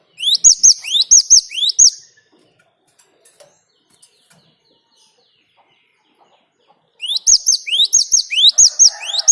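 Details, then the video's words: Great tit (Parus major), a rolling song meant to draw other birds into singing. Repeated rising whistles with clipped high endings arrive in two bursts about five seconds apart, with near silence between and faint rustling at the end. "Ngalas Ngerol Burung Gelatik Batu Gacor buat Pancingan"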